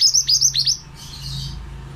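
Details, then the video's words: Male pied bushchat song played as training material for other cage birds: a quick run of high, bright chirps with falling flicks, then fading into faint rustling and a low hum. "BURUNG MANTENAN GACOR--MASTERAN AMPUH"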